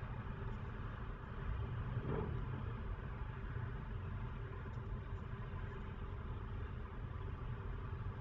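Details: A vehicle engine idles outdoors with a steady low rumble, and no animal calls stand out.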